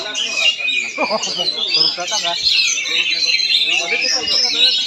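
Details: Oriental magpie-robin performing in Palangkaraya, Central Kalimantan, pouring out a busy, unbroken jumble of high whistled and scratchy phrases, while people talk quietly in the background.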